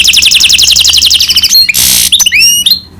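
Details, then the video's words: Goldfinch-canary cross singing a rapid, evenly pulsed high trill, broken by a harsh hissing burst, then sweeping whistled notes that rise and bend. "Гибрид щегла с канарейкой/ سایره کنری/ hybrid of goldfinch and canary"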